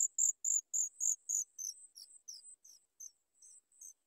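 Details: Sooty chat chicks begging while waiting a long time for their mother's food: thin, very high squeaky notes, about four a second at first, then broken and uneven.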